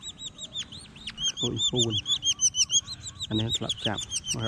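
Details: Collared falconet undergoing hunting training to learn killing: rapid high shrill arched calls throughout, with several low droning or voice-like sounds beneath in the second half.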